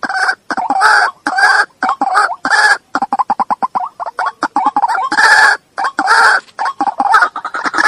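White-breasted waterhen giving loud, harsh croaking notes, several a second, breaking into a fast stuttering chatter midway before the croaks resume.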